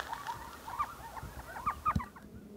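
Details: An Elf Owl on an evening in the Salt River area of Arizona, near Mesa, gives a quick run of high, yelping chirps that rise and fall, about three notes a second, over faint background noise.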